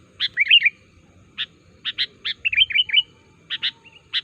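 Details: Sooty-headed bulbul lure call meant to get other bulbuls singing back: a quick warbled run, then scattered sharp single and paired chirps, another rippling phrase, a soft short whistle.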